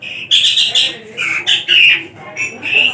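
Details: Javan long-tailed shrike kept caged and tame, singing energetically with varied filler phrases: a string of loud, slightly squawking whistled notes, some rising and some falling, with short breaks between.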